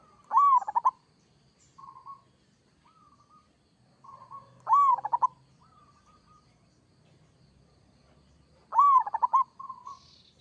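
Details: Local perkutut, or zebra dove, in lively 'kerot' song to provoke instant answers from other doves: three strong phrases about four seconds apart, each a rising arched coo then a quick run of stuttered notes, with quiet single coos between.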